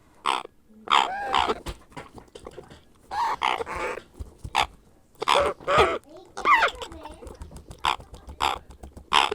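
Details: Hand-fed grey parrot chick begging with clusters of harsh, wavering croaks and nasal squeals, broken by brief pauses, with soft handling noises underneath.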